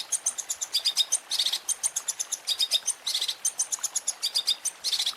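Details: Long-tailed shrike song from a tutoring recording with varied filler phrases: quick bursts of high, bright chirps and short twittering notes in dense clusters, repeated in irregular runs with brief gaps, with no other clear sounds.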